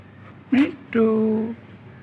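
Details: A pet green rose-ringed parakeet talking, saying a speech-like word: a brief clipped syllable, then a longer, steady, level-pitched vowel, in a quiet room.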